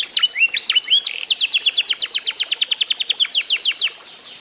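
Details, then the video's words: Mastered F1SF canary of eight months: a few curling notes open, then an even, fast trill of bright downward-sweeping whistles for nearly three seconds, stopping abruptly into quiet. "REVIEW HASIL MEMASTER BURUNG KENARI F1SF UMUR 8 BULAN"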